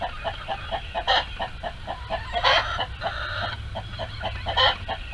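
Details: Farmyard chickens in a barn coop, hens and roosters, around egg-laying time: steady soft clucks repeat about twice a second, broken by three louder, broad, squawking bursts.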